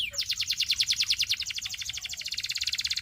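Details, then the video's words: An unbroken, very fast rolling trill from a Belgian canary, its notes pulsing evenly and quickening slightly toward the end. "Belgian Canary Tempts All Canaries to Sing!!!"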